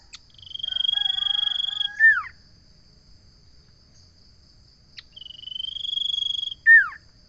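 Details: Common iora song: a long, even, steady whistle held almost two seconds that ends in a sharp downward slurred note. The phrase is repeated after a pause of about three seconds, against a faint constant high hum.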